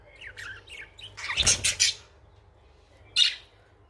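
Budgerigar chatter: high chirpy warbles, then harsh raspy squawks as a male coaxes a female after a quarrel.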